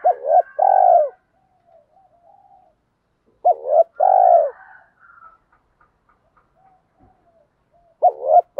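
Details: Spotted dove calling to excite decoy birds, a recording for daily training that mixes hen and cock voices: three low two-part coos, a clipped hooked note then a long mellow one, roughly every three and a half seconds.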